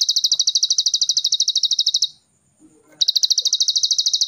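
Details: Plain Prinia gives a fast, high, buzzy trill of about thirteen even pulses a second, breaks off for under a second, then resumes; full song from Cililin.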